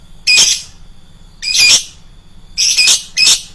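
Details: Lovebird lure sound made of four harsh, high screeching notes, each a short burst, spaced irregularly over a few seconds.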